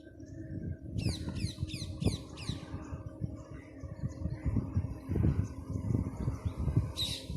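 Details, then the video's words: A flock of parrots chirping: a quick run of five high, sweeping chirps, then scattered softer calls and one last burst near the end, all over loud low rumbling background noise. "Bird chirping|Parrot"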